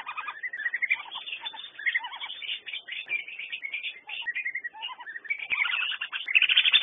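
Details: Whistling duck calling: a softer, more scattered mix of thin whistles and short chirping notes, some falling in pitch, with several overlapping voices and uneven gaps.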